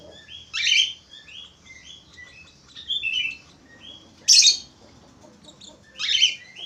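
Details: Lively budgerigar song: rapid short whistled notes punctuated by three loud, harsh chirps spaced about two seconds apart.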